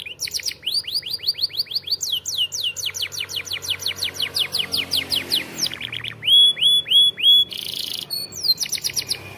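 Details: Champion-style canary song meant to train young canaries: long trills of quick downward-sweeping notes at several speeds, followed by a few pure piping notes, a harsh buzzy burst and more fast rolls.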